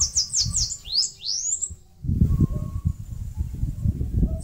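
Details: Bananaquit in northeast Brazil, singing and building a nest in a mandacaru cactus. A quick string of high buzzy downslurs turns into two longer swooping sweeps, then stops, leaving low rumbling noise.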